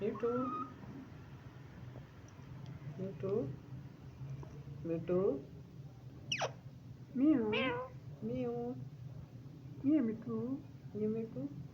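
A rose-ringed parakeet gives a run of short, speech-like phrases and meow-like wavering notes, with one sharp rising squeak, over a low steady hum.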